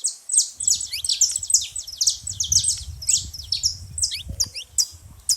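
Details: Saffron finch being very noisy at a baited feeding spot: packed high chirps and quick slurred notes over a steady low rumble.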